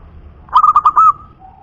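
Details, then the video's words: Local wild zebra dove, called perkutut punden, giving one quick phrase of about five clipped, bubbling coo notes, followed by a faint, steady, drawn-out tone that fades out. "suara PERKUTUT PUNDEN"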